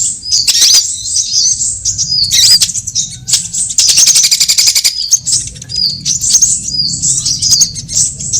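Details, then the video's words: Sunbird lure calls for catching birds: harsh, high chattering phrases and squeaky slurred notes alternating with bursts of rapid ticking, over a steady low rumble. "Suara pikat semua jenis burung kolibri"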